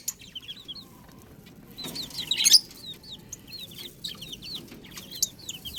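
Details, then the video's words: Chicks call with repeated high, curling peeps, several birds overlapping in quick runs. A burst of scratching or pecking noise comes around the middle. "Cute Chicks Sound Effect 🐥🐣 | Beautiful Baby Chicken Sounds"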